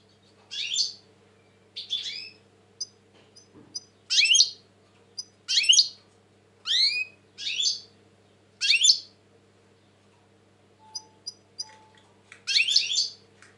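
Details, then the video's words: Agitated European goldfinch, 2020, delivering a lively series of about ten rasping, twittery phrases with falling slurred notes, interspersed with tiny high ticks, over a steady faint hum. "Saka kuşu ötüm"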